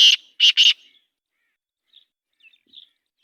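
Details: Black francolin calling: three loud rasping notes, one then a close-spaced pair, followed by faint distant chirps in otherwise quiet surroundings.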